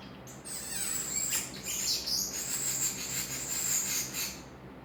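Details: Pet common starling chattering to himself with a long, very high, thin whistled note held almost throughout, broken by clicks and ticking sounds at a steady pulse.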